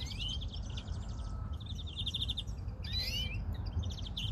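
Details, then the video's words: Greenfinches sing extended mechanical trills in two long runs, then a rising wheezy phrase, over low constant noise. "probando verderones"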